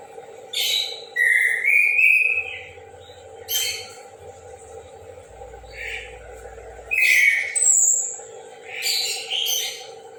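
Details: Morning song of an orange-headed thrush, a varied run of whistled and buzzy phrases, some sliding and rising, given in separate bursts, with a constant background hum and a low rumble partway through.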